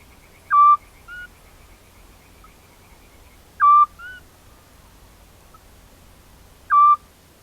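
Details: A pair of Eurasian scops owls, recorded in spring 2016 in farmland near Cavarzere, Venice, Italy, while mating and attempting to nest: loud pure whistled hoots about every three seconds. Each hoot is trailed by a fainter, slightly higher answering note. Quiet background.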